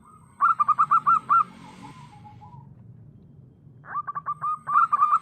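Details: Zebra dove of local wild stock singing strongly for use as a lure: a phrase of about seven ringing coos, a pause of two seconds, then a second phrase of about eight notes.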